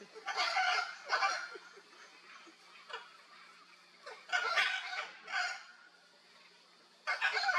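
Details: In the wild in Brazil, playing Hyacinth Macaws utter scattered harsh, croaking squawks, two early, two more midway after a pause, and a final one, with quieter rasping in between.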